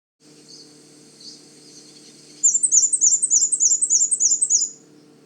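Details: A male black-and-white warbler at Manchester Cedar Swamp Preserve, southern New Hampshire, sings on the Rhododendron loop in forest during the breeding season: a very high, thin, squeaky run of quick repeated two-note phrases for about two seconds, faint over a babbling brook.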